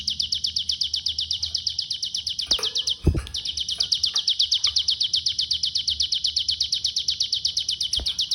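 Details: Pygmy bushtit from Cililin singing in the "konslet" style: a continuous, very high, rapid trill of thin ticking notes, steady and unbroken apart from a brief dip near three seconds. A few faint knocks and low background noise are also heard.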